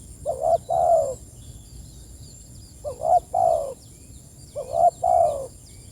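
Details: Spotted dove calling to companions with three evenly spaced phrases, each a short two-step note then a fuller, falling coo, about two seconds apart, set against a quiet steady high tone.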